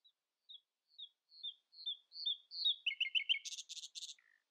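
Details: Common nightingale in early-morning song, outsinging rivals: a slowly building series of short whistled notes stepping upward, then rapid clicking phrases and harsh broad trills, ending with a low whistle; clean quiet background.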